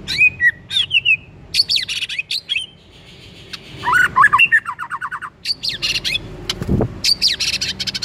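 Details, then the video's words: White-rumped shama singing as a trigger to get another bird going: dense, fast stream of jumbled whistles, chattering notes and harsh buzzy bursts, almost continuous with only short gaps. "EFEKTIF BIKIN MURAI JADI AGCOR DALAM HITUNGAN DETIK DENGAN PANCINGAN INI"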